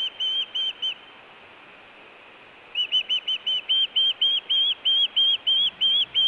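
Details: Osprey at a Montana nest camera, June, food or alert calling: three high whistled chirps, a two-second pause, then a longer, steady run of loud piping notes.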